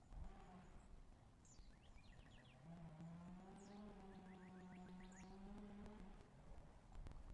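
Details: Red-shouldered hawks at a nest in Wake Forest, 11 April 2023 around 12:27; two runs of sharp, descending slurred notes repeated several times a second, over a steady low humming drone with harmonics.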